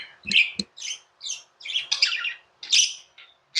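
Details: Tame pet budgerigars, part of a hand-fed flock kept indoors in India, giving busy chirps and short squawky notes in quick bursts, bright and scratchy, with brief pauses between phrases.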